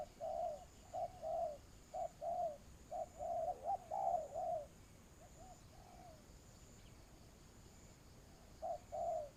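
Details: Spotted dove serving as a ground decoy for trapping in Vietnam, giving quick series of short coos and longer drawn coos for several seconds, then fainter coos and a pause before resuming.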